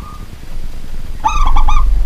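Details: Local zebra dove singing at night: a brief stuttering cluster of rich, ringing coo notes after a short steady tone, with heavy low rumbling background noise.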